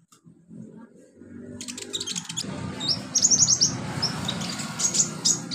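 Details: Wild olive-backed sunbird in its natural habitat giving quick, very high twittering notes and short sharp chirps that grow louder midway, with a steady low rumble underneath.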